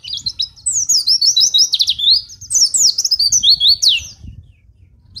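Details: Oriental white-eye singing gacor, suited for tutoring caged birds or luring wild ones. A rapid, dense stream of high twittering notes runs for about four seconds, then fades.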